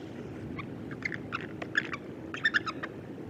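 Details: Several eagles competing over a single bait along the Mississippi River, giving short high chirping and piping notes scattered through three seconds, some doubled, over a steady low rushing background.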